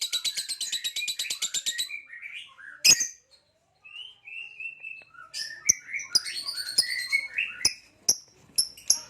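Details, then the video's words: Green hybrid male Nyasa lovebird, purple-rumped, with a Lilianae companion in captivity: fast rhythmic chirping for two seconds, a loud click, soft warbled whistles, then scattered sharp squeaks. "Green Hybrid and Lilianae Nyasa Lovebird Singing & Chirping Sounds"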